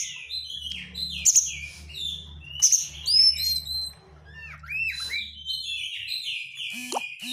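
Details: Oriental magpie-robin lure song with dense crecetan: sliding whistles and scratchy bursts, then downward-swooping notes and a long falling phrase, over a continuous low hum.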